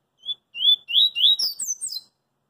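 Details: A double-collared seedeater sings out in the street: one 'coringa' song of whistled, slightly rising notes accelerating into a rapid sequence of sharp high notes sweeping downward, over quickly.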